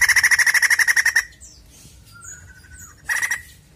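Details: White-crested laughingthrush lure recording: a rapid, harsh chatter of about sixteen notes in just over a second, then thin whistles and a shorter chattering burst.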